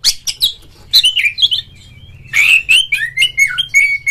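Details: Oriental magpie-robin kept in a cage in Indonesia, singing ngeplong to prompt other magpie-robins; clear descending whistles and buzzy notes, a quiet stretch, then a lively sequence of sweet slurred whistles.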